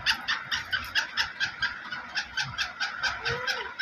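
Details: Black francolin of the Sindhi black type: a rasping note repeated roughly twice a second in an even rhythm, with a short low groan near the end.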